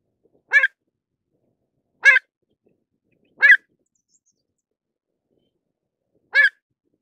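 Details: Four clipped, ringing calls from a pied avocet, each a single brief note. The first three are about one and a half seconds apart, then a longer pause before the last, with no other sounds heard.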